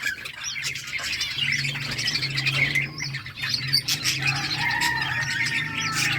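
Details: Budgerigars playing in a breeding colony in summer, chattering squawks and chirps from several birds, a drawn-out whistled warble near the end, over a low hum.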